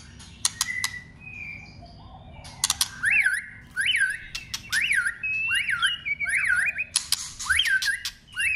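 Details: Song-trained white-rumped shama singing hard for contest practice: a string of loud rising-then-falling whistles repeated about every half second, interleaved with sharp dry clicks.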